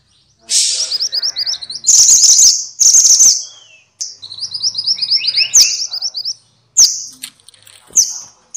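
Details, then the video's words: Minivet (mantenan or sepah, genus Pericrocotus), offered as tutor audio for caged songbirds: loud harsh buzzy bursts alternate with quick strings of high chirped notes, and a lower whistle slurs downward midway. "kumpulan suara burung mantenan (sepah) ribut!!"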